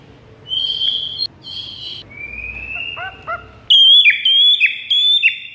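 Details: White-rumped shama song played to lure rival birds: long high whistled notes, a flat drawn-out whistle, short downslurred notes, then loud rapid phrases of ringing high whistles with warbled trills.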